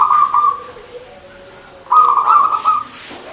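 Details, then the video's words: Zebra dove, a local perkutut, in manggung song: two bright phrases of fast stuttering coos, each easing into a drawn-out note, with a quiet gap between them. "PERKUTUT MANGGUNG GACOR GAYER 100% suara burung Lokal"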